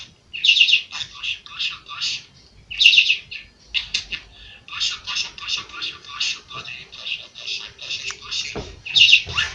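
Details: Kurdish-speaking pet budgerigar chattering indoors: clusters of sharp, high, rasping syllables delivered in quick runs, separated by short gaps, with a soft click near the end.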